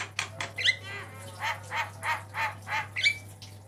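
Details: White-eyed Javan myna with a varied song recorded as a master for cage birds: evenly spaced throaty notes about three per second, broken by sharp high whistled flicks, over a constant low hum.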